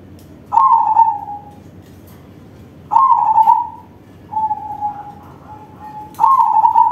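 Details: Perkutut crossing, a crossbred zebra dove, singing: strong trilled coos that start sharply and fade downward, about four phrases across the stretch with softer, flatter notes between, faint knocks audible.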